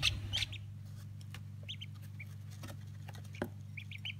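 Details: Day-old Old Polish breed ducklings, 2016, giving short high peeps in scattered bursts, a few clustered at the start and more near the end, over a steady low mechanical hum and occasional soft clicks.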